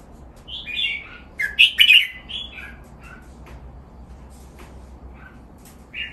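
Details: Red-whiskered bulbul in a cage, recorded for song training: a flurry of loud, chirpy warbled notes at the start, followed by scattered softer chirps and a final rising note, over a steady low hum.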